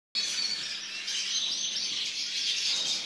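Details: A white European goldfinch gives a fast, high, continuous twittering with tinkling, run-together notes and no pauses, over a faint hiss.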